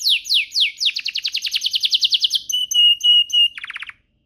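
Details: A canary sings to stimulate other canaries into song: a rolling series of fast descending notes, then several steady whistled tones, closing with a short rapid trill.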